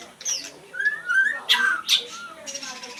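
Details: Oriental Magpie-Robin whistling a falling slurred phrase, then two loud, harsh, scratchy bursts and a softer closing whistle.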